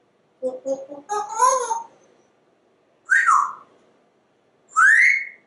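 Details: Talkative pet African Grey Parrot indoors, vocalizing non-stop: a quick run of short voice-like notes and a warbling phrase, then two separate loud whistled syllables, the last rising sharply.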